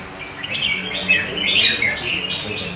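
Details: Brief red-whiskered bulbul phrase heard among other birds around it: a jumbled, lilting series of clear whistled notes with a light background hum.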